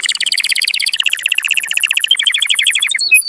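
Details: Strong canary song for prompting mating: an unbroken, rapid high trill of repeated notes that slides gradually into a lighter rolling series.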